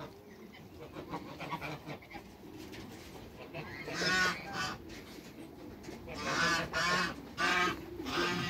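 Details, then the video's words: A trio of Toulouse geese, two males and one female, in a backyard with other waterbirds: quieter start, then loud grating honks in clustered bursts during the second half. "TWO MALE ONE FEMALE TOULOUSE GEESE AFTER THE CREATE WATERBIRDS IN THE BACKYARD"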